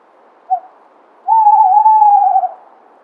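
A Tawny owl gives a brief low hoo, a pause, then a long wavering hooo lasting over a second, with no other sounds.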